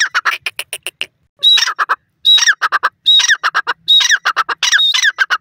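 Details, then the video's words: A francolin, locally called teetar, repeats loud scratchy phrases, each starting with a short high whistle and followed by rapid grating notes, about once a second. "Teetar voice,Pure Natural Sounds of the Francolin"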